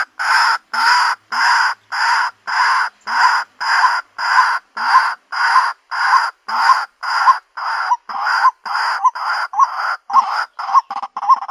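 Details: A female white-breasted waterhen calling to attract a mate gives a loud, very regular chain of harsh croaking notes about twice per second. The notes shorten and quicken toward the end.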